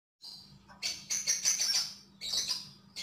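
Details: Javan grey-throated white-eye singing vigorously: dense bursts of high, bright chirps and twittering, one long busy phrase in the middle, then a shorter burst and a final onset, with a faint low hum underneath.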